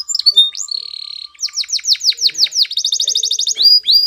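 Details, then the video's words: Spanish Timbrado canary singing a training song: a sustained whistle, then a run of about a dozen quick down-slurred notes speeding into a tight metallic trill, ending with rising chirps. "Canary's Most Powerful Song For Training !! Spanish Timbrado Song"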